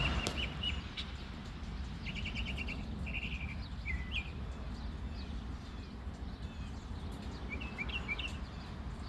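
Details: Springtime male bird singing to attract a mate: brief high trills and chirped phrases spaced a few seconds apart, partly masked by constant low background rumble.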